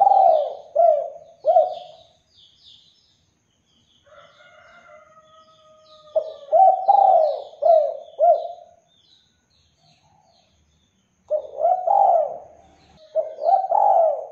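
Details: Spotted dove cooing as a lure to make other doves respond: low, mellow coos in short groups of three, separated by pauses, with a faint sustained tone and soft high chirps in the background.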